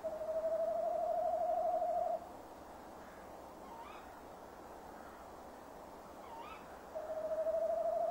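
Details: Male tawny owl calling near its nest box at 17:10 on 15 December 2015, later preening there while the female stays away; a long, wavering, tremulous hoot of about two seconds, followed by a quiet gap and another hoot.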